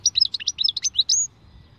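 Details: Khalwi-style song of a European goldfinch: a fast, jingling phrase of sharp chirps and short whistled slurs, ending on a drawn-out buzzy note, over a quiet background.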